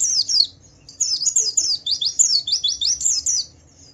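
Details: Javan white-eye singing in a gacor 'ngalas' style with 'ngeriwik' chatter, used to provoke other white-eyes into singing; rapid, high, buzzy descending notes in dense chattering bursts, a short pause, then a longer run of slurred phrases.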